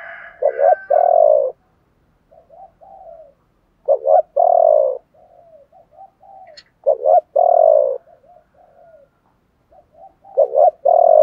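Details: Spotted doves, both female and male, singing in the chiêu ba hậu style used to stimulate other doves to sing: a sharp double note and a rich drawn-out coo, then soft murmuring notes, repeated about every three seconds.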